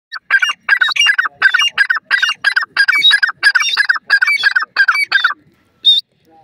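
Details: Golden pheasant calling in a fast run of harsh, clipped squawking notes, about a dozen evenly spaced bursts over five seconds, then a pause and one higher note.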